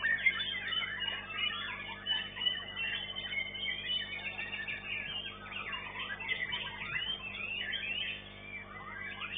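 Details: White-rumped shama in a bird-singing competition, placed second, pours out a rich, unbroken stream of varied whistles, trills and rapid phrases, with a steady low hum and a busy, crowded background.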